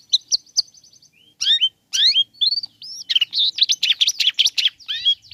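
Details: Provocation song of the long-tailed shrike: a few sharp ticks and a thin trill, then loud rising and falling whistles followed by a dense, scratchy, chattering warble of mixed notes.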